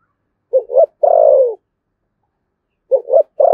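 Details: Spotted dove in Vietnam's Đồng Nai province, thổ sấm voice, Thúc Gù coo: a two-note pickup and a drawn-out falling coo, then after a long pause the same phrase starts again.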